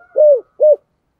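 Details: Two low, mellow coos from a spotted dove of 'giọng thổ' voice, the first longer and falling slightly at its end, the second shorter.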